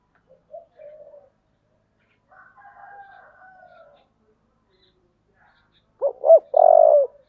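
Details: Spotted dove in the 'thổ' voice used to spur fighting: faint soft coos at first, then one loud phrase at the end, two quick notes and a long deep coo.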